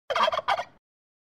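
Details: Turkey (Meleagris gallopavo), gobble.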